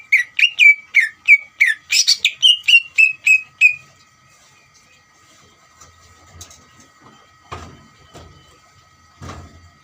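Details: Song of a greater green leafbird, played to make another leafbird respond: a fast run of whistled notes with a buzzy burst, then quiet, with a few soft knocking sounds afterwards.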